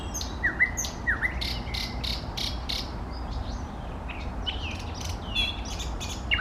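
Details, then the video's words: Eastern nightingale singing, recorded in 2024: varied song of thin rising whistles, short downslurred notes near the start and scattered sharp clicks and chirps, over a steady low rumbling background. "соловей восточный поёт песни Nightingale singing"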